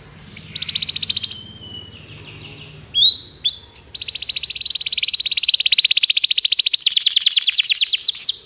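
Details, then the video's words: Canary song used for training other canaries: fast high trills and rolling tours, a short pause near two seconds, then a long rapid trill of repeated notes running to the end. "O melhor canário canário para treinar seu canário"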